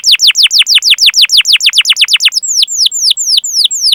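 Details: Energetic canary song for training other canaries: rapid series of bright descending whistles about five per second, slowing into spaced, longer swooping notes.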